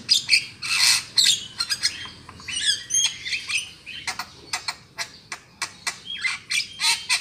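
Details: Black-winged myna call used to lure birds into traps: harsh squawks followed by quick repeated dry clicks and chips, with a faint background hiss.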